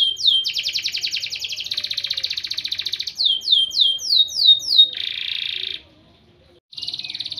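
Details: Canary in training-song recording: rapid buzzy trill, a dense rolling tour, clear descending swoops repeated about three per second, then a harsh rattle and a short pause before another burst.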